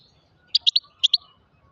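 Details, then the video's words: Altai goldfinch, or grey-crowned goldfinch, giving a brief burst of five short, high chirping notes in two quick clusters against a soft low background hum. "пение щегла седоголовый щегол. алтайский щегол песня"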